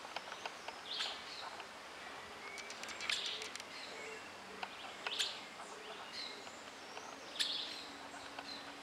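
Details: Streaked flycatcher observed in a garden, giving sharp high call notes roughly every two seconds amid background hiss and scattered faint chirps.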